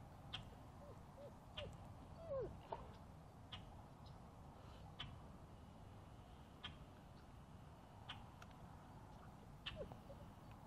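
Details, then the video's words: A Common Grackle on Florida's Space Coast gives short, harsh chack notes, one every second or two, over a steady low rumble of wind and distant traffic; first queried as boat-tailed, then confirmed common. "It sounds like we have common grackle."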